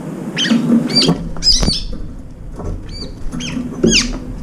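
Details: Brown-eared bulbuls eating at a window-side food bowl, two or three at a time: spaced, sharp high notes bending downward, given in small clusters with pauses, plus low tapping and clatter.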